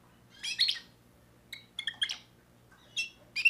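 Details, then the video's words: Young timbrado canary from 2024 singing part of a new repertoire: three bursts of high, chirpy, scratchy notes, each a quick cluster of sharp tweets separated by short pauses, in a quiet setting with a faint low hum. "le meilleur chant de canari I chant canari timbrado"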